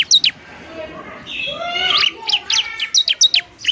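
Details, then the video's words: Bar-winged prinia fighting song meant to lure and stimulate lazy birds to sing: a few sharp high chirps, then a longer, lower, wavering tonal sound, followed by a quick run of piercing down-slurred notes. "ciblek semi gacor, ciblek TARUNG mantap buat pikat dan PANCINGAN ciblek semi malas bunyi"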